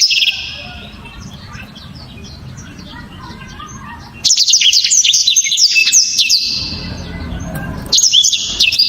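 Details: Black-throated canary singing with hard, sharp shots: faint high twitters at first, then a sudden loud burst of rapid whistled trills and chips, a short gap, and another dense burst.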